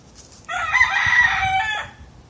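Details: Rooster crowing once, a single harsh, strained call about 1.3 seconds long, held at a steady pitch with a slight rise and fall, against a quiet background.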